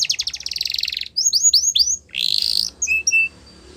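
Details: Yorkshire canary training song for young birds, opening with a quick rattling trill, then a few separate swooping whistles, a brief buzzy burst and short flat piping notes.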